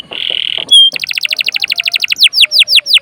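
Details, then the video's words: Canary singing to spark song in other birds: a short buzzy trill, a bright whistle, then a rapid even series of repeated notes turning into slower downward sweeps. "PANCINGAN KENARI GACOR||bisa juga buat master burung lain"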